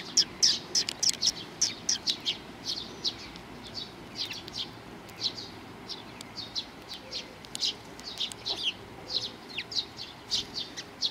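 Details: Eurasian tree sparrows flocking to be fed at Mizukami Bridge, 4 June 2020; rapid, irregular stream of thin, high chirps, roughly a hundred notes a minute, from several birds at once.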